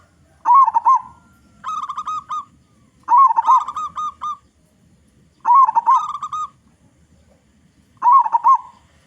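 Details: Zebra dove song of a local perkutut with a large voice, played to lure other zebra doves into singing; rolling, pulsed cooing phrases recur roughly every two to three seconds, each ending in a short steady note.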